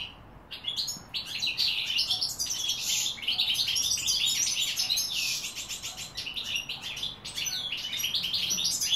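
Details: European goldfinch singing in 2016, a dense, fast twittering run of high tinkling notes and buzzy trills, sustained almost without pause across the whole stretch.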